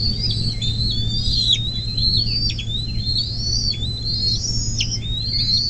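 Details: Thin, high whistled calls from a Bald eagle at a nest near South Lebanon, Ohio, USA, 24 May 2024, 10:12, heard on a nest camera: wavering rising notes broken by abrupt downward strokes, over a low hum.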